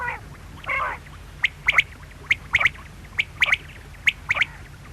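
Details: A short buzzy mewing sound starts things off, followed by a quail's clipped three-note call, a lone note then a fast double, repeated evenly about every second.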